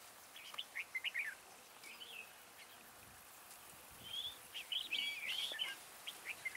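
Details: Red-whiskered bulbul singing as a trap decoy to attract wild birds: quick chains of chirpy, warbling whistles, a burst early, then a longer, denser run of bright, looping notes, over a soft rural background.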